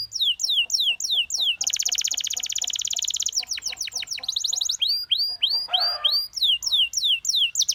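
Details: A canary sings continuously: repeated swooping whistles, a long fast even rattle lasting nearly two seconds, more rapid sweeping phrases, then clear rising-and-falling notes repeated at a steady pace.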